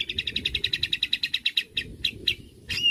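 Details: White-rumped shama stirred up by a bait sound and replying with its learned fill-ins: a rapid, regular chattering trill of about twenty notes that slows and breaks off, ending in a high, thin, falling whistle.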